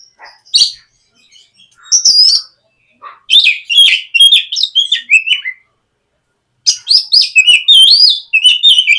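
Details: White-rumped shama in full song, played in the morning as a lure to prompt a young shama to start singing: loud varied whistled phrases and chattering notes in bursts separated by short pauses.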